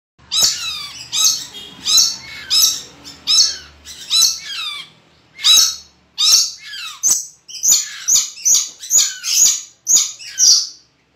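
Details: Tame, talkative pet red lory kept by a friend, giving a series of loud harsh screeching calls with rasping harmonics, roughly two per second, with a brief pause near the middle and faint room noise beneath.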